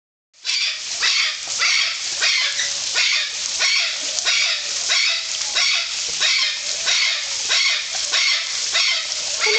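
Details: Golden conures at Parque das Aves, Foz do Iguaçu, Brazil, give harsh, raspy screeches about every half second to second, several birds overlapping in a steady noisy chorus.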